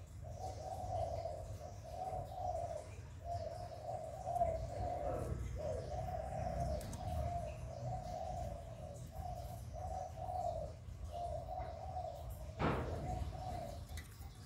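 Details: Spotted dove cooing used as a lure for captive doves: a long series of short, hollow coos in groups separated by brief pauses, with a low hum and one sharp knock near the end.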